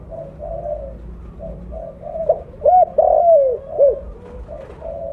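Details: Spotted dove, mottled blorok form, calling strongly as a lure: quiet level coos lead into a loud burst of arched, hollow notes and a long descending coo, then soft notes again.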